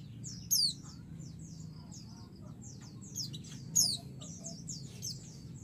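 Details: White-eye female calling to draw an answer from the male, two strong high falling chirps several seconds apart, separated by quieter twittering and a constant low hum.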